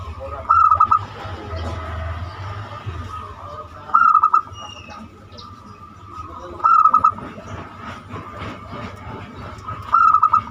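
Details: Zebra dove of banyumili type giving its lure song to coax other birds into singing: four short bursts of rapid, clipped coo notes spaced about three seconds apart, over faint ticking noise and a steady tone.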